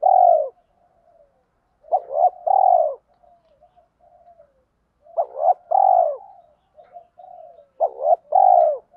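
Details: Decoy spotted dove with a 'thổ pha' voice and sewing-machine-like 'thúc gù' cooing, played to provoke wild doves. Three repeated phrases about three seconds apart: quick double hoots then a long mellow coo, with low purring murmurs between.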